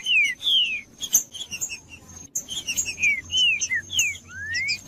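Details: Trinca-ferro, the green-winged saltator, singing as a stimulating recording for captive birds: clear descending whistled slurs in a varied run, ending on one rising whistle, with scattered high chirps.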